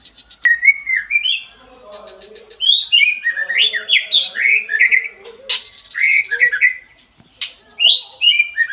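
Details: White-rumped shama singing at dawn: rich, varied whistled phrases sliding up and down, with rapid twittering flourishes and short pauses between bursts, a few sharp clicks.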